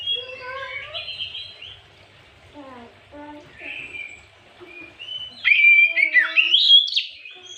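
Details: White-rumped shama song played in the afternoon as a lure to provoke other birds: soft descending whistled notes and stepped trills at first, then a loud burst of sharp, rising and falling whistles near the end.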